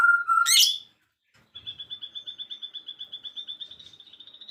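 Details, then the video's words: Songbird in the afternoon gives a loud whistle and a sharp burst, then after a short pause a fast, even trill of high repeated notes that slowly rises in pitch. "kicauan sore hari relaxing Bird sounds"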